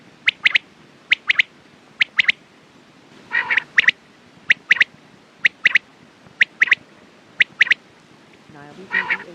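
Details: Quail giving repeated quick triplets of bright, clipped notes about once a second, interrupted several times by short grating, buzzy calls; steady low hiss behind.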